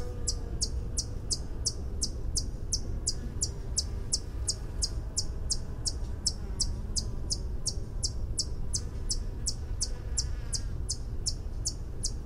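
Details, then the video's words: White-eared Hummingbird song: a sharp, high, metallic tink repeated about three times a second in a long, steady series over a low background rumble. "Song of the White eared Hummingbird"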